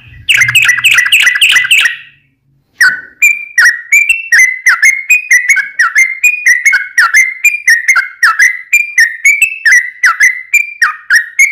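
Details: Yellow-vented bulbul fighting song, played to make other bulbuls reply at once: a brief chattering burst, a pause, then a long run of sharp, clear notes that alternate up and down, about two per second.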